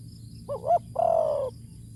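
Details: Spotted dove used as a ground decoy for luring, with a big-voiced ku ang kham coo: a quick broken double note followed by one drawn-out, slightly falling mellow coo, with faint high ticks behind.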